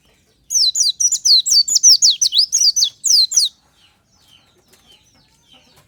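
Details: Oriental white-eye singing in the morning, a natural lure recording: a three-second stream of sharp, high, falling twitters delivered rapidly, then near silence with only faint distant chirps.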